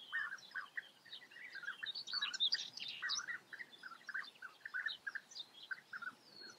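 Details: European bee-eaters, Eifel region of Germany, giving short burry trilled calls in quick succession, several birds calling together in a busy overlapping chorus.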